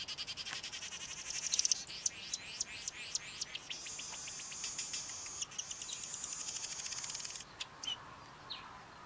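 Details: A male Cape Weaver sings a long, wound-up song, with rapid ticking pulses, a burst of swooping slurred notes, then a sustained high sizzling buzz that stops abruptly, followed by a few scattered clicks.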